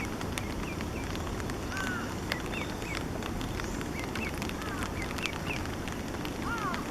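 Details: Somewhat grown Eastern spot-billed duck ducklings calling, filmed 5 July 2015 with a Canon PowerShot SX50 HS; their voice differs from when they were tiny chicks. Faint, thin downslurred peeps come at irregular intervals over steady background hiss.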